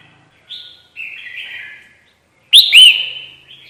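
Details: Lure call for trapping a red-whiskered bulbul: soft, short warbled notes, then a loud, sharp chirp that curls upward and runs into a sustained slurred trill.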